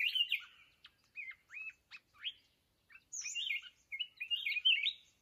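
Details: Red-whiskered bulbul, a mountain bird, singing during trapping with a decoy bird: bursts of bright warbling whistles, with short upward-slurred notes in the middle and fuller chattering phrases at the start and end.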